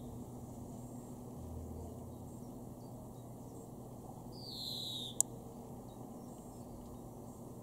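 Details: Greenfinch recorded in May 2021 in a garden in Weener, East Frisia, far northwest Germany: a lone nasal, falling wheeze near the end, followed by a sharp click, over quiet low background hum.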